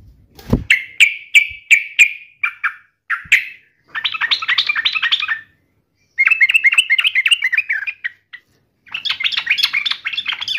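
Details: Yellow-vented bulbul answering and mocking a rival: a string of separate clear whistled notes, then long rolling bubbly chatters broken by a near-silent gap, with a low thump at the very beginning.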